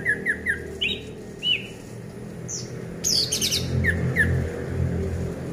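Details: Orange-headed thrush song, played as a lure to make silent, sluggish birds sing: short whistled chirps in quick groups, slurred downward notes, and a rapid buzzy burst midway, over a steady low rumbling hum.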